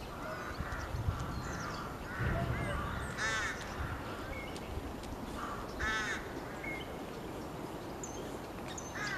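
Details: Common starling singing in Bishopbriggs Park on 9.3.20: a varied medley of harsh, buzzy harmonic bursts and short thin whistles, some sliding, scattered over a steady low background rumble.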